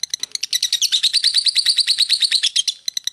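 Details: Lovebird in long, continuous chattering song, rapid buzzy notes repeated about three times a second, building into a dense trill in the middle before loosening again.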